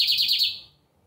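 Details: Lined seedeater (Sporophila lineola), a kept bird singing a lot on a Sunday, gives a brief, high, buzzy trill of quick pulsing notes lasting about half a second, then quiet.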